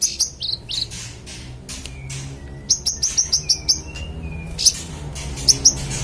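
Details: Tutor recording of a Magpie-robin in full song for contest birds: a short run of sharp high chirps among varied whistles, including lower sliding notes, with a few isolated high calls afterward.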